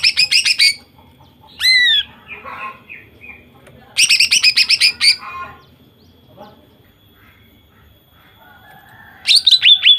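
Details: Female greater green leafbird in full song, used to stir males into singing: rapid bursts of short repeated buzzy notes alternating with a clear downslurred whistle, pauses between phrases, faint chatter beneath.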